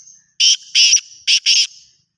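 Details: A black francolin gives its grating call: two loud rasping bursts, a brief pause, then two more. The notes are harsh and buzzy, all in one quick phrase against a quiet background.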